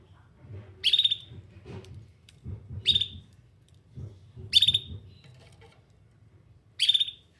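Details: Canary looking for other canaries, sounding four loud, high chirps about two seconds apart over soft low rustling and background murmur.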